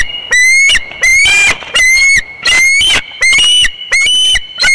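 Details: Bald eagle at the Big Bear nest on 24 February 2021 as an immature intruder buzzes it: a steady run of about seven piercing, slightly rising cries, each under half a second, in quick, even succession.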